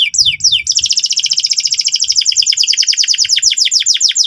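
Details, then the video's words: Loud, tireless gacor song of a canary, meant to help young birds learn to ngeriwik: two quick descending notes, then a long, rapid, rattling trill of high repeated notes lasting over three seconds, with faint low background rumble. "suara kenari gacor ngotot keras biar kenari paud cepat belajar bunyi ngeriwik"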